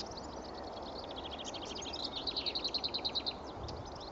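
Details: Lesser whitethroat at Pegwell, 24 April 2015, morning, one of several scattered around the area. Quiet twittering notes lead into a loud rattle of about ten rapid identical notes at an even pace, over constant background noise.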